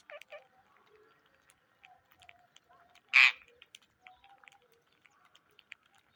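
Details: Indian ringneck parrot giving a single loud, harsh, broadband squawk lasting about a quarter second midway through, with faint scattered chirps and soft clicks before and after in an otherwise quiet setting.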